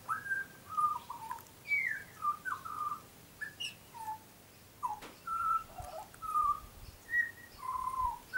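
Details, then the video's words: Very tame young butcherbird visiting the garden delivers a lively series of short whistled phrases, rising and falling slurs repeated about every half second, in a fairly quiet setting. "Young Butcher Bird is singing a song"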